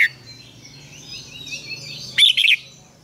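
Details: Red-whiskered bulbul morning song used as a lure for training other birds: one brief, loud warbled phrase near the end, rising and falling in quick notes, over faint background twittering.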